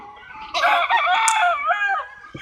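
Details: A single rooster crowing, one sustained, wavering harmonic crow lasting about a second and a half, with faint clucks around it.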